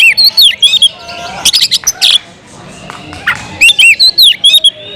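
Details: Kacer (Oriental magpie-robin) in a cage: rapid series of loud curving whistles and chips, a burst of harsher notes, a quiet gap, then another run of fluty swooping phrases.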